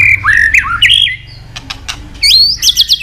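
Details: Murai batu, the white-rumped shama, singing: a fluid run of rising and falling whistles, a quiet gap with faint clicks, then quick high rising whistled notes.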